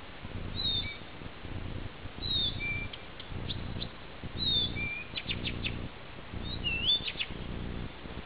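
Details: Blyth's reed warbler singing on a summer night, 11 June, at Peränne, Ähtäri: high, thin whistled slurs and quick ticking notes in short separate phrases, set against a steady low rumbling hum.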